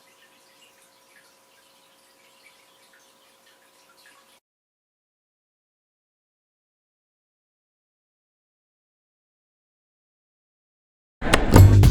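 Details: Faint ticks and drips with a low steady hum, then near silence, ending in a sudden loud burst of broadband noise; no animal voice is heard.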